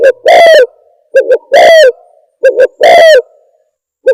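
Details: Spotted dove call played as a lure for trapping: a long, slightly descending coo alternating with two brief clipped notes, repeated in a regular rhythm. The tone is loud and overdriven, and no other animals are audible.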